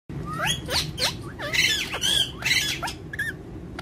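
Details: Pet green parrots giving a rapid run of harsh screeches and short rising whistled squawks, several overlapping, with a steady low hum underneath.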